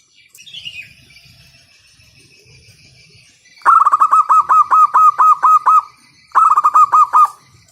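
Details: Local zebra dove with a loud voice, calling to prompt other doves into song: a faint high whistle and quiet background, then a long even string of about twelve ringing coos and a second shorter run.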